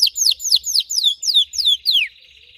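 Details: Red Belgian canary song phrase of about eight loud downward-sweeping whistled notes, each roughly a quarter second apart, closing with a soft low trill.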